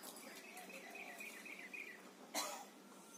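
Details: A pair of parakeets chirping: a quick run of short, warbled chirps lasting about two seconds, ending in a single brief, loud, broadband burst against a low background hiss.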